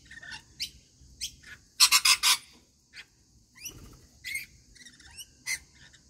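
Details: Rainbow lorikeets at routine feeding time, with scattered high squeaky chirps, then a loud burst of four harsh rasping screeches, followed by more thin chattering notes and twittering.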